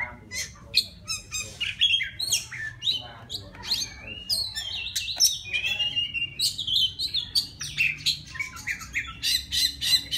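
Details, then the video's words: Oriental magpie-robin from the forest singing to call a female: rapid clicks and chips giving way to longer whistled slurs, varied and almost unbroken over ten seconds. "Tiếng choè than rừng hót gọi mái"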